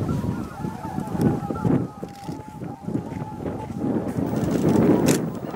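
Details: Flocks of greater white-fronted geese coming in to roost at dusk, Miyajimanuma, Bibai, 11 April 2016, roughly 15,000 birds. Many honking calls overlap in a busy chatter, swelling toward the end, over low background rumble.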